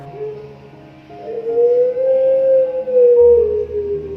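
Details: A five-month-old Barbary dove (puter pelung) has the middle part of its song judged against competition standards: a long, smooth coo, one drawn-out low tone that swells, rises slightly and eases down over about three seconds, over soft background music.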